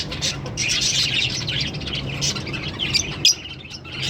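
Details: A green Fischer's lovebird pair sings and chirps: dense, busy high chatter of short squeaky notes that runs almost without pause, with a sharp louder squeak near the end and a faint low hum underneath.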